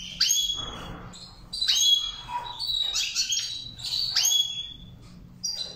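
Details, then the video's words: Goldfinch delivering Saira char chari training song: clear upswept whistled notes roughly every second and a half mixed with jangling high twitters, above a light low hum. "gold finish training singing Saira char chari"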